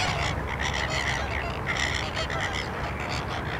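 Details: Flamingos at the salt lake in Larnaca, Cyprus: a flock giving dense, overlapping goose-like honking calls, nasal and harsh, in a continuous chorus with steady background noise.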